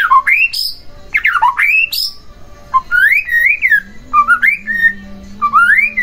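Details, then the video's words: White-rumped shama song for provoking another shama into singing: slurred falling-then-rising whistles, then wavering fluty phrases, with a steady low hum beneath the later part. "Pancingan Murai Batu Agar Bunyi Langsung Emosi Bongkar Isian"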